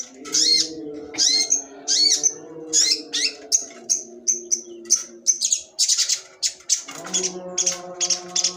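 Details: Long-tailed shrike sembur song: a busy stream of varied chirps, rasps and high whistled notes that speeds up into rapid bursts, over shifting low humming tones.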